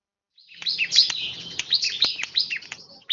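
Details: One-year-old bar-winged prinia singing a dense, high-pitched stream of sharp chirps and buzzy trills, with quick notes tumbling over one another for nearly three seconds before a final loud chip.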